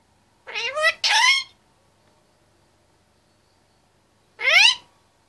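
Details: Caged male Indian ringneck parakeet, 25 months old, chattering: two harmonic speech-like phrases in quick succession, a pause of about three seconds, then one more rising phrase in a quiet room.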